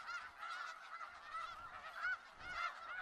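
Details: Snow geese in a Skagit Valley flock, loud nasal honks repeated roughly twice per second from nearby birds, layered over a constant background of many calling geese.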